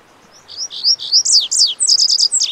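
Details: High, tumbling song of a Lazuli bunting (Passerina amoena): sweeping slurred whistles followed by a rapid run of repeated chips that continues to the very end.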